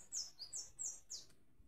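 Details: Sayaca tanager singing: five thin, high squeaky notes, each sliding downward, delivered in quick succession about every quarter second, in a quiet background.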